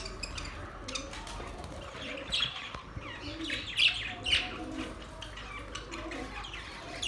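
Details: Caged pet budgerigars, happy and flying about, chirp and warble in soft scattered bursts, some notes louder and bright, over a low background hum.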